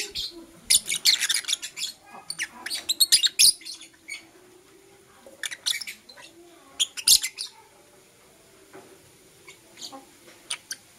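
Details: Busy morning chatter of blue opaline and parblue euwing opaline lovebirds: dense clusters of shrill, scratchy chirps and squeaks in the first half, then sparser sharp tweets with short pauses.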